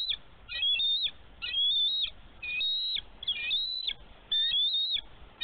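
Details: Nesting mother bald eagle in snowy Minnesota, 11 March 2023, guarding her egg from an intruding young eagle: shrill, squealing piped phrases repeated roughly once a second, each a cluster of thin whistled notes over soft noise.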